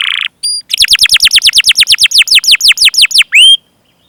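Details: Canary calls played to stimulate other canaries to sing: a buzzy burst and a thin whistle, then a regular series of about sixteen downward-sweeping chirps, ending with one long rising whistle.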